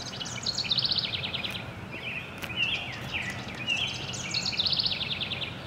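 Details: A wren, recorded on a date given as 5-3-24, sings a fast, high, tumbling song of rapid trills and chattering notes, repeated in bursts over steady background hiss.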